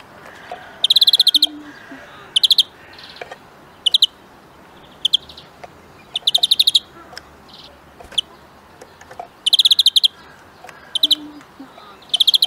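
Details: Greenfinch recorded for huylandırma training repeats long, dense metallic trills and shorter chirp groups over twelve seconds, with soft clicks and a faint hum between phrases.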